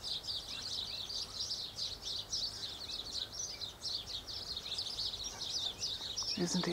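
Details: Superb fairywren, possibly an immature male or an adult male, giving an unbroken run of high, thin, tinkling chatter, several notes a second, over steady background hiss and a brief voice near the end.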